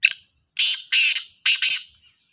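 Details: Sahiwal black francolin calling in the morning, 18 September 2022: a clipped harsh note, a pause, then a rhythmic run of three grating buzzy phrases, the last broken into two, loud against stillness.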